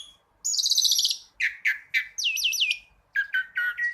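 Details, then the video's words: Black-collared starling, full-variation tembakan song. A long high buzzy trill comes first, then lower harsh notes. A quick series of four looping whistles follows, and the clip ends with slurred chatter. The recording is quieter than the others. "Masteran Jalak Suren Tembakan Super Mewah Suara Burung xtra Jernih Full Variasi"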